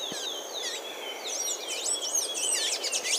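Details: Blue-gray tanager song from Brazil. A hurried string of high, squeaky, wavering chirps that builds in pace, with a faint background hiss.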